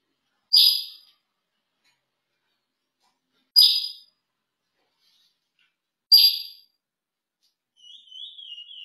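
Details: Curió, the chestnut-bellied seed-finch, in a breeding and pairing setting; three short, bright, sharp notes spaced about three seconds apart, then a faint, thin, wavering trill at the end.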